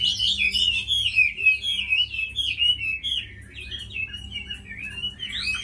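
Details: Chinese hwamei, a tamed fighting bird noted for its fine voice, pouring out a dense run of high, sweet whistled notes and quick warbles, loud at first, then a softer, broken sequence before a final rising flourish.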